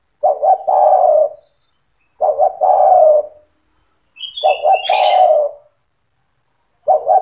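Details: Eager spotted dove singing to encourage young doves to join in: coo-coo-crooo phrases repeated about every two seconds, four in all, while a small bird gives a short high trill.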